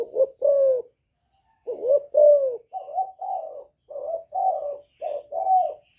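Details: Young spotted dove giving its calling coo along with bowing coos, meant to provoke wild doves: soft, hollow coos in short bursts, then a steady series of about eight evenly spaced cooing notes.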